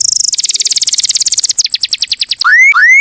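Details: Canary singing a master song for training birds: a very fast, even high trill of about two hundred notes a minute, breaking into looser chips and two rising whistled sweeps.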